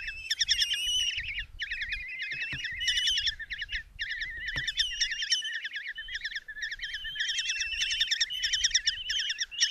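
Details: Five young Common kestrels in a nest box at Tiszalök, Hungary, 27 June 2024, beg insistently while their mother brings a mouse. Long bouts of loud, quavering trills from many overlapping voices, broken by short pauses, a few faint knocks.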